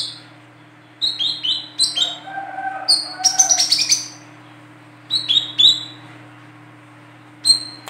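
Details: Female olive-backed sunbird, its calls used as a lure for catching birds, gives rapid runs of shrill descending chirps, then a dense burst of high notes, then more scattered chirps. A softer lower tone and a steady hum run beneath.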